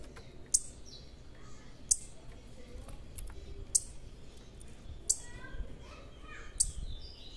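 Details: A large juvenile Blue-black Grassquit gives a sharp, high, buzzy note about every one and a half seconds, with faint softer chirps and a low background rumble.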